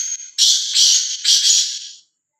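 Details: A free-roaming, fearless black francolin (kala teetar) gives a harsh, grating call. A thin whistled note opens it, followed by three loud, raspy, buzzy phrases in quick succession, lasting about two seconds.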